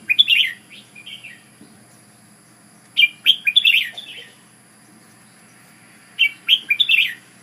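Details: Ubon decoy Red-whiskered bulbul repeating short, bright warbled phrases roughly every three seconds, each a fast cluster of rising and falling whistled notes, over a quiet low hum.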